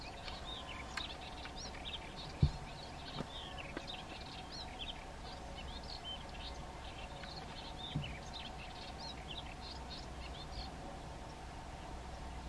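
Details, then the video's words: Melodious warbler singing at Mirna, Istria, in May 2022: a fast, continuous babble of short, high chirping and twittering notes over a steady mechanical hum and low rumble. "Kratkokrili voljić pjev -Melodius warbler call"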